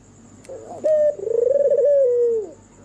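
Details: Night song of an albino white turtle dove with red eyes: a brief soft note, then one long mellow coo with a rapid tremolo in the middle, easing into a steady tone that falls off at the close; faint high hum throughout.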